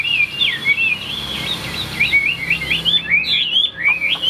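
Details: Caged Chinese hwamei singing without pause: a high, continuous warble of fast looping whistles, dipping and rising in quick rhythmic phrases.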